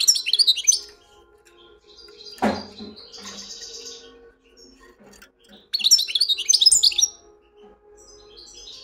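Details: European goldfinch singing in the wedani style: bursts of bright, rapid twittering notes high in pitch open and close the recording, with a quieter pause, a soft thud and faint background hum between them.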